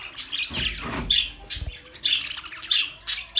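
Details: Pet budgerigars giving scattered high, sharp chirps and short squawks, with low rustling or handling noise in the first half.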